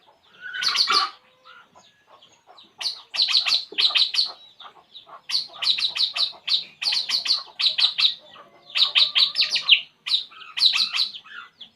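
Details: Puling bird, relaxing, repeats groups of three to five bright, high chirps, each group lasting under a second and spaced by short gaps, keeping a lively, steady rhythm.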